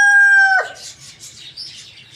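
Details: Morning rooster crowing loudly, the clip catching the steady end of a crow that drops sharply and cuts off, followed by quiet hissy background noise and faint rustling.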